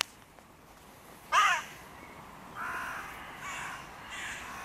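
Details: At the music pavilion in König-Albert-Park, where three crow breeding pairs' territories collide, a crow gives one loud, raspy caw, followed by three softer, drawn-out caws at roughly even intervals.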